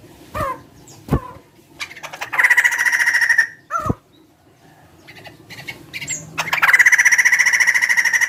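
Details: Big-bodied bird described as sounding like a chicken: a few short downslurred harmonic notes, then a sustained fast pulsed trill, a quiet gap, and another loud rapid trill to the end.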